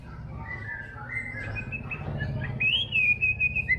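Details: White-rumped shama singing gacor: soft drawn-out whistles at first, then a loud rising whistle and a run of quick sharp notes, over a constant low rumbling background.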